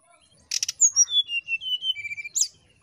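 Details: Lure song of a brown-chested jungle flycatcher in nyiul ngetrek style: a rasping click burst, then a cascade of pure whistled notes stepping downward, closing with another harsh click.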